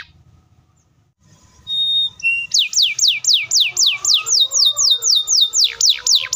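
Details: Canary singing a long, close-spaced rapid roll used to provoke young and silent canaries into song: after a quiet start and a few thin whistles, steep downward-swept notes repeat about four times per second.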